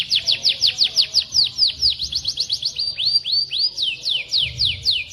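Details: White-rumped shama singing as a tutor for other birds: steady strings of loud, sharp downslurred whistles, a few upswept notes partway through, then slower descending whistles spaced evenly to the end.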